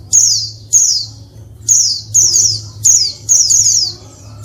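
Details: Female Oriental white-eye, pleci, calling to prompt males to sing: high, steeply descending chirps, single at first, then doubled and tripled in quick runs, against a faint low hum.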